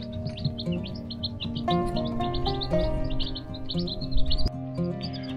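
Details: A brood of Black Australorp chicks, a few days old and kept in a container indoors, peep in quick, high, overlapping chirps, several each second, over steady background music; finding: Chicken.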